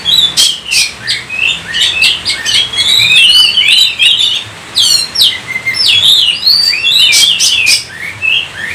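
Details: Oriental magpie-robin (kacer) from Indonesia in vigorous gacor singing: a dense run of varied loud whistles, rising and falling slurred notes and sharp chirps, mostly high-pitched, packed tightly for the whole stretch with brief pauses.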